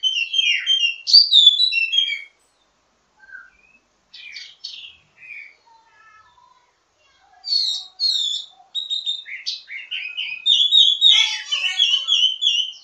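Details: Ashy tailorbird giving a lively, varied song of sharp chirps, twitters and short trills in bursts with brief pauses, a varied song offered as a master recording for training other birds of its kind.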